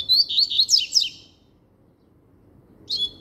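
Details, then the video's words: Double-collared seedeater in strong song, a burst of quick high whistled and swooping notes, then a second of silence before the next phrase begins. "Braddock Cantando Firme"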